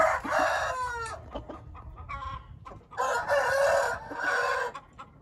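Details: Hint rooster crowing: a strong harmonic call with a falling tail in the first second, then two long, loud, hoarse crows in the latter half, separated by short clucks, over a low background hum.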